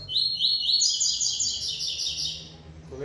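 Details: A male Double-collared seedeater just back from a singing contest where it took third place, recorded 8 December around 10:40–11 am, sings a fast, bright run of high chipping notes rising into a dense trill, faint background murmur.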